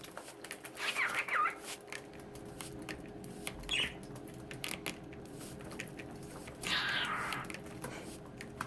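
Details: Several pet budgerigars play in their bath indoors. They give short bursts of warbling, chirpy chatter a few seconds apart, over frequent splashing and clicking from water and a steady low indoor hum.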